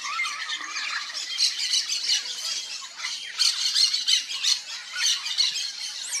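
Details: A wild Yellow-faced Parrot (Alipiopsitta xanthops), Brazil, giving harsh, high squawks and chatter in a fast, uneven stream, roughly three notes a second.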